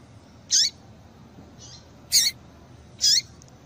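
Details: Female double-collared seedeater call for stimulating males: three bright, high, chip-like notes with slurred tails, spaced one to one and a half seconds apart, and a faint softer note in between.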